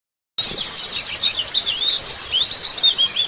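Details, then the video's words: White-eye song used to stimulate a bird to sing after moulting: after a short silence, dense, continuous high twittering erupts, with rapid thin chirps and quick slurred whistles overlapping throughout. "merangsang pleci bunyi setelah mabung"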